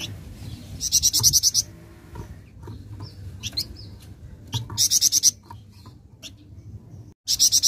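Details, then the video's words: Flameback answering right after a single play of a recording: loud, dry, rapid rattles of about eight high sharp notes, heard twice with a third beginning at the end, over soft faint chirps and low background hum. "Sekali Putar Bahan Flamboyan Langsung Nyaut"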